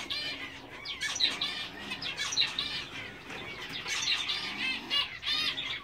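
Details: A captive English zebra finch pair, a black-face male and a dominant silver female, give rapid nasal, buzzy chirps and beeping notes in a busy, continuous chatter.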